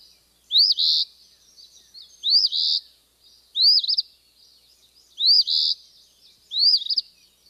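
Eastern Phoebe song: five raspy, high 'fee-bee' phrases, each a sharp arched note running into a buzzy burr, repeated about every one and a half seconds.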